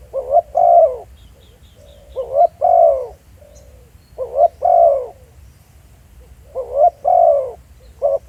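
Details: A spotted dove used as a decoy, calling in the field, repeats its low hollow phrase four times at about two-second intervals: a quick rising note, a pause, then a longer falling coo, with softer notes trailing each.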